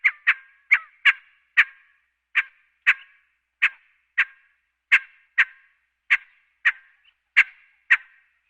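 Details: Scaled quail (Callipepla squamata), call.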